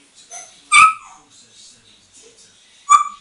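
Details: An 8-year-old hand-trained female African grey parrot, molting a bit, playing on a bathroom towel rail, gives two loud, harsh, bark-like squawks about two seconds apart, with faint quieter chatter between them.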